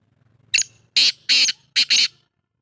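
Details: Black francolin, known locally as Patha Kala Teetar, recorded on 1 March 2024, giving five harsh, grating, raspy notes in about two seconds, the last two close together, against a quiet background.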